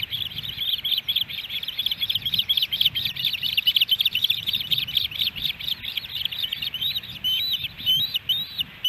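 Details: Ospreys at a nest camera in Hellgate Canyon, Missoula, Montana, on July 13, 2018, a day with three fish brought to the nest; rapid, steady series of high, sharp chirping whistles, about two per second, with a low rumble of background noise.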